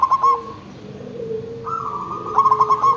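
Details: Local zebra dove used to make other zebra doves call back: a brief stuttering coo at the start and another quick run of notes near the end, with long sustained tones between.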